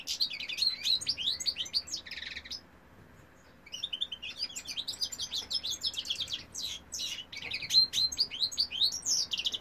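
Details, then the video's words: Male European goldfinch singing, 2018: a tumbling twitter of high, quick notes, a short pause near the middle, then another long, bright phrase of ringing chips and slurred whistles. "goldfinch cock singing"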